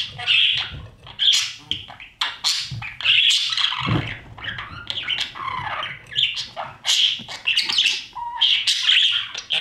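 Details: Budgerigar chicks begging as their parents feed them inside a nest box: an almost constant stream of loud, rasping squawks, shrill and repeated in rapid pulses, with brief low bumps between them.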